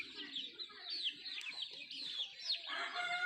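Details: Country chickens while eating: busy high peeping with quick slurred notes, then in the final second a fuller, lower, harmonic call from a larger bird joins in.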